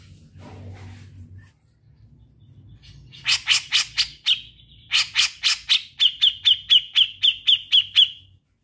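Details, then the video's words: Grey-cheeked bulbul in energetic trilling song: bursts of loud, rasping, broadband notes separated by a short pause, ending in a rapid, steady run of high, sharp, whistled notes repeated about four times a second. "Cucak Jenggot Naga Gacor Ngetril"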